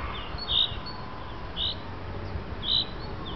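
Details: Common chaffinch giving its lure call in the afternoon: three short, bright, high call notes, each about a second apart, over a soft background hiss.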